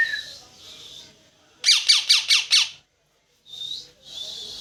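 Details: A parrot makes soft wavering chirps, then a rapid burst of five loud, rasping squawks, then silence and more high chirps.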